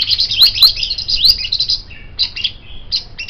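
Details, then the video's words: White-rumped shama song meant as a tutor recording for songbirds: a dense high chattering run for over a second, then short clipped whistles and buzzy notes. "MURAI BATU Ini Sangat Cocok Dijadikan Masteran Burung Kicau"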